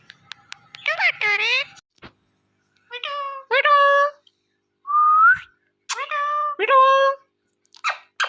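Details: Indian ringneck parrot calling "Mithu": bursts of voice-like harmonic syllables with a short rising whistle in the middle and sharp clipped notes at the end, separated by pauses.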